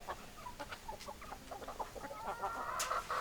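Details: Chickens, hens and roosters, clucking in a busy farmyard: many short broken clucks overlapping, with a drawn-out higher call near the end and steady background noise.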